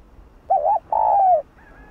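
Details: A spotted dove in the 'hạp bổi' style gives a wavering double note followed by a long, smooth coo that slowly falls in pitch.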